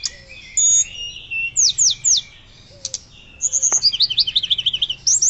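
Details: Actively singing Hill blue flycatcher with loud flute-like song for lure and master use: long whistles, steeply falling slurred notes, then a rapid series of about a dozen bright, bouncing high notes.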